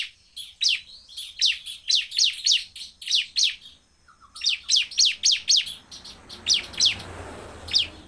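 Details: Bar-winged prinia singing vigorously, used to provoke other prinias: bursts of sharp, high, downward-sweeping notes, about four per second in runs of four to five, with a short pause mid-way and faint low rumble later.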